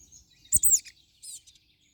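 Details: European crested tit giving a quick high double note that bends up and down, then a softer, shorter, very high note, with faint low rustling beneath.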